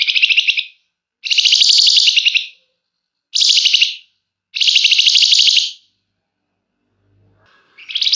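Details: Flamboyan in steady, dense song with emotional 'nyecret' chatter, used to coax other birds to sing: four grating, finely pulsed buzzy bursts, the longest about a second and a half, then a pause before another starts.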